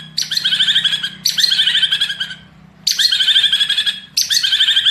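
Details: Singing white-rumped shama, Medan variety, giving harsh chattering, buzzy bursts about a second long, four times, separated by brief gaps, over a faint low hum.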